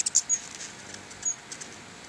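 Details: At a pair of house-front feeders, a crowd of hummingbirds makes a quick run of high, sharp squeaks at the start, then a few fainter scattered ticks.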